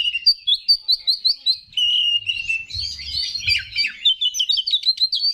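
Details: Oriental magpie-robin (kacer) song used to fire up other males: a series of quick whistled notes, a steady warbling stretch with faint low noise beneath, then rapid scratchy chatter.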